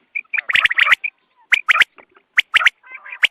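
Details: Quail calling in the morning, a recording meant for hunting: bursts of short, bright chirped notes in quick clusters, with pauses between groups and a few buzzy rasping notes.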